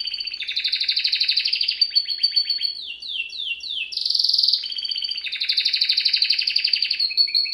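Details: Serinus canaria, the canary, singing as a training example: loud fast trill, a run of falling slurred whistles, a buzzy high burst, then another long rapid rolling trill.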